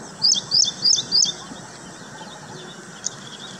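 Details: Nest-building Baya weaver at Hoskote near Bengaluru giving four rapid, high-pitched chirps in the first second and a half, then one faint lone chirp after a pause, against low background hiss.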